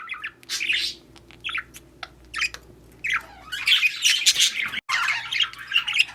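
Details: Mating budgerigars: a burst of squeaky chirps, a lull with a few isolated clicks and notes, then sustained high scratchy warbling chatter over a faint low hum.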